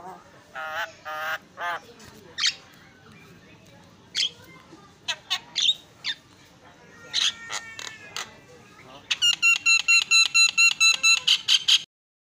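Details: Javan myna (jalak kebo), very noisy master song for training cage birds: scattered sharp squeaks and short chattering phrases, building to a loud run of about a dozen evenly spaced harsh, buzzy notes at the end.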